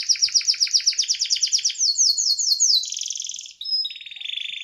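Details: Canary rolling song: a rapid series of sharp chirping notes slowing slightly, followed by a lower buzzy trill and a short whistle.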